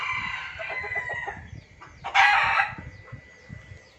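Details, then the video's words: Junglefowl in an Indonesian lure recording: quieter, falling, clucking notes, then one loud, harsh crowing burst midway, over low background rumble. "suara pikat dan masteran ayam hutan ribut"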